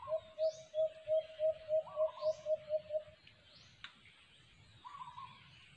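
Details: A string of ten soft, muffled coos from a white-eared brown dove (alimokon) during cage-trap hunting, followed by quieter background with rising chirps from other birds and a sharp click.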